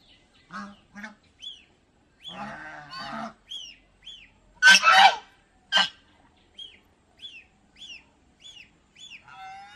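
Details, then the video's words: Domestic geese at an aquarium park in Mysore, India, giving a few harsh honks, one very loud burst mid-way, while thin rising chirps repeat steadily throughout from other birds nearby. "Call of geese"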